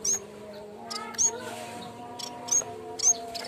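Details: Cikrak bambu, the yellow-bellied warbler, in a lure recording for training: short high-pitched whistles open and close the passage, separated by clicks and soft noise, with a low continuous drone beneath.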